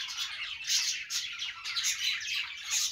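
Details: Budgies in busy, excited chatter: rasping squawks and quick chirps pile up in rising bursts roughly every half second, many birds calling at once.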